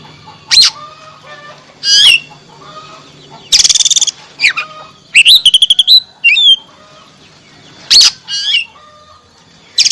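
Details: Oriental magpie-robin singing varied phrases to stimulate a silent caged bird: loud whistles, slurred up-and-down notes, a buzzy rattle and quick repeated chips, spaced by brief pauses.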